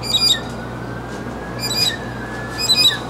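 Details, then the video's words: Mockingbird singing: short harsh, raspy phrases in three bursts about a second apart, over a faint steady hum and a slow wavering background tone. "Mockingbird in Concert!"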